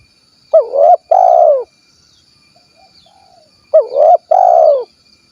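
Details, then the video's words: Spotted dove of the kuk 1 type from Cilacap, Central Java, cooing: two phrases about three seconds apart, each a low mellow rising-then-falling double note, the second part longer and steadier, with a faint steady high whine behind. "SUARA BURUNG TEKUKUR / DERKUKU KUK 1 GACOR"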